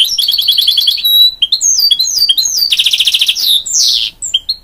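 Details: Goldfinch x canary hybrid song: an opening rapid rattled trill, a ringing note, rising chirps, then a second buzzy trill and a sweeping downslurred phrase.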